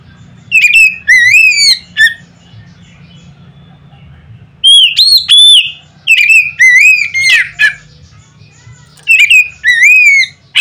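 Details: Loud provoking song of an Oriental magpie-robin: repeated groups of rich whistled phrases, rising and falling, with a harsher, scratchy note in the middle and pauses of a second or two between groups.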